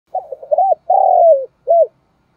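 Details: Spotted dove lure call used for trapping: a stuttering run of short coos, then a long drawn-out coo that slides downward, ending with one short clipped coo; quiet background.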